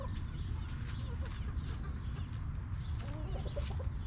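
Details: Backyard chickens in their coop with quiet, scattered clucks, brief soft notes dotted through a constant low-pitched hum.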